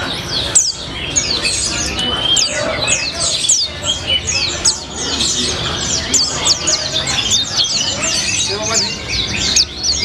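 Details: White-eye pouring out a nonstop colibri-like 'gacor ngalas' song: strings of fast, high twittering notes and short slurred whistles, dense and tireless, over faint low background sound.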